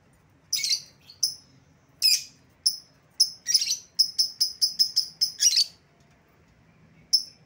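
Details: Lovebird calls for luring back a bird that got loose: scattered shrill chirps, then a rapid string of about ten sharp high notes, ending with a lone chirp.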